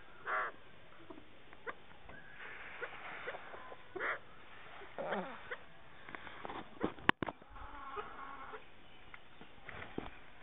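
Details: Captive farmed chukar partridges, male and female, give harsh, raspy clucking notes in short bursts a second or two apart, with a sharp click midway and a low background hum.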